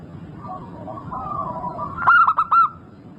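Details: Local zebra dove, singing freely, offered as a lure recording: soft, drawn-out background whistles give way to a single bright phrase of four quick, ringing coos.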